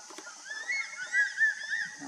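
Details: A crested serpent eagle, perched out of sight, gives a quick series of slurred, wavering whistled notes, several each second, over a steady high hiss of insects; Rajaji National Park, December 2019.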